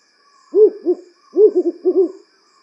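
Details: African wood owl (Strix woodfordii), nocturnal forest and woodland owl, giving repeated low, mellow WHU-hu, WHU-hu-hu hoots: two spaced notes, then a quick bouncing run of about six more, over a faint steady high hum.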